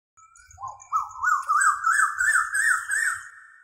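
An Asian koel gives a series of about eight clear, whistled two-part notes that climb steadily in pitch and quicken, with faint low rumbling underneath.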